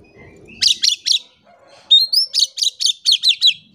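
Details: Oriental magpie-robin, a caged bird, singing as a lure to get silent birds to sing: a rising whistle, then rapid bursts of sharp, buzzy, downslurred high notes, about three to a half second, in two runs with a short gap between.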